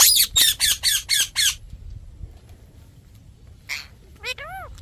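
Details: Parrot letting out six rapid harsh squawks in a row, then silence, a breathy rasp and a few descending whistled chirps.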